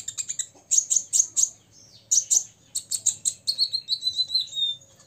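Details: Olive-backed sunbird, six years old, challenging rivals with rapid piercing chirps in tight groups, closing on a thin wavering whistled phrase.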